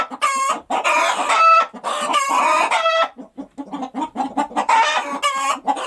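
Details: Right after laying an egg, a hen gives long, harsh squawking cries run together, then a stretch of soft, rapid low clucks before the loud squawks return at the end.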